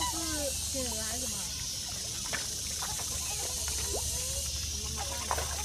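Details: Black swan calls: several soft, wavering whistled notes, some dipping then rising, bunched in the first second and a half, with fainter similar notes later over a steady hiss and low hum.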